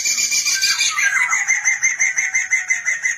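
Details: Black-throated laughingthrush, used as a tutor recording for young birds, sings a fast, harsh, chattering song of rapid notes, about three a second, with a brief low whistle partway through.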